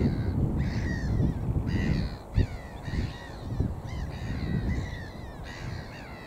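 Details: Little gulls on a lake at Longham Reservoir Lakes, Dorset, UK, in a dry spell between rain, give harsh, nasal calls in short bursts about once a second, over a steady low rumble of wind.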